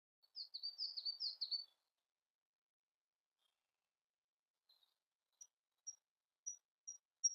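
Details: Siberian blue robin singing: a quick run of high, slurred chirps lasting under two seconds, then a long pause before thin, evenly spaced high ticking notes close the sequence.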